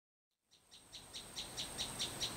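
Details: Sunbird singing in a garden behind a house in the countryside: a quick series of bright, high chirps repeated about every quarter second, growing louder, over a faint steady high insect-like hum.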